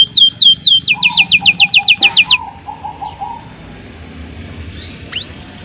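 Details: Canary singing to encourage young canaries and ones that stopped singing: loud downslurred chips speeding into a quick even series for two seconds, with low soft warbles beneath, then near silence and faint hiss.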